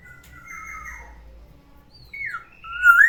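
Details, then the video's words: Morning whistles from a pet black-naped oriole kept in a cage: soft sustained level tones, followed by a falling slur and a loud rising whistle at the end. "OCEHAN BURUNG KEPODANG DI PAGI HARI, SUARANYA BIKIN ADEM"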